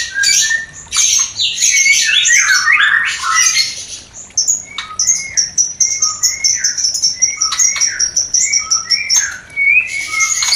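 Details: Breeding song of a white-rumped shama, used to excite a new, not-yet-producing pair: dense harsh bursts at first, then short rising whistles repeated under a steady high buzzy trill.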